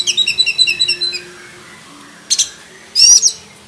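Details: Caged black-breasted oriental magpie-robin singing a full, varied song kept as a tutor for other birds. It opens with a rapid series of high repeated trilled notes for about a second, then after a pause gives two harsh buzzy bursts.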